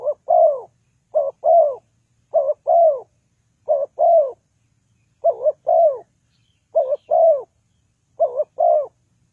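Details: Repeated coo phrases of a spotted dove played as a trapping lure. Each phrase is a short double coo followed by a drawn-out descending note, recurring roughly every 1.3 seconds in a steady series with no other sounds.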